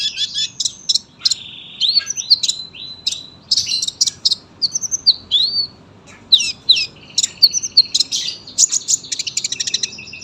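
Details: Tame sunbird in long, dense, lively song, recorded as a tutor for young birds: continuous rapid high twittering with buzzy trills and sliding whistled notes, barely pausing across the phrase.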